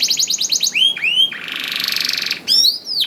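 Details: Singing canary used as a lure to get reluctant canaries singing: rapid trills of short notes, then swooping whistled slurs, a buzzy rattling tour and further downslurred whistles.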